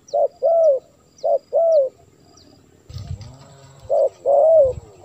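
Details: Spotted dove coos played to call in wild doves: two short-then-long cooing phrases, a brief burst of low rumbling noise midway, then another clear phrase of the same falling coo.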